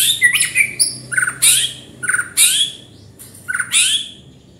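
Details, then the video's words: White-rumped shama calling in short harsh phrases, each a quick burst of high buzzy notes with a dropping whistle, repeated about four times. "Murai batu gacor"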